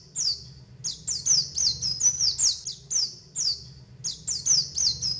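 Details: White-eye (pleci) call used as a lure to trap wild white-eyes and prompt them to sing: thin, high, descending chirps repeated rapidly about twice a second, with a faint low hum beneath.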